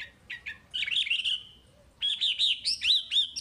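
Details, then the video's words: Chinese hwamei song used to train caged birds: a few short chirps, then a slurred warbling phrase, a pause, and a run of loud rising and falling whistled notes. "Suara Wambi Gacor Untuk Pancingan Hwamei Bahan"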